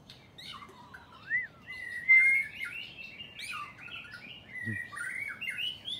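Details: White-rumped shama song: loud, clear whistled phrases, some sliding and rising, mixed with rapid chirps and trills in a rich varied stream, with other birds singing alongside.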